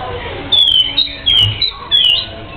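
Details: Oriental magpie-robin (kacer) in energetic 'gacor' song: three loud, clear whistled notes sliding downward, each about a second apart, with quieter twittering and soft hiss between them.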